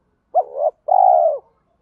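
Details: Decoy spotted dove with a 'thổ'-style voice blended with 'thúc đấu' phrases, meant to lure wild doves quickly. A brief curved hoot, then a drawn-out, even, soft coo.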